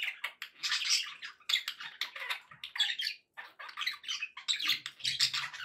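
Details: Pet parakeets squawk and warble in quick, harsh bursts, a steady run of squeaky notes broken by one short lull past three seconds.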